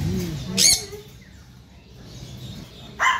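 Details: A large, hungry baby blue macaw that is eating gives two short, harsh, raspy squawks about two and a half seconds apart, with a low murmur of voices and room noise between them.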